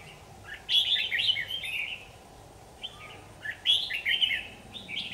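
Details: Captured on an AX40 4K camera, a red-whiskered bulbul sings short cheerful phrases of rolling chirps, roughly one burst per two seconds. A constant low hiss runs underneath.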